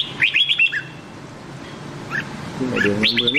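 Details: Red-whiskered bulbul song in the Nam Đông style, used to train the voice of white-cheeked bulbuls: short bright rapid descending whistled notes in two bursts, start and end, with a low wavering harmonic hum beneath the second burst.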